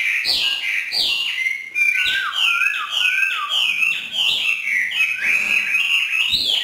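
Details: Northern Vietnamese trained Hwamei performing 'hót thả' free song; a steady stream of loud, sweeping whistled phrases, each swooping down then up, delivered rapidly and without break.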